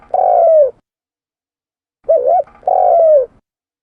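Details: Lure call of a spotted dove: a long mellow coo falling at its end, a pause, then a wavering double note and another drawn coo sliding down. Clean and low-pitched.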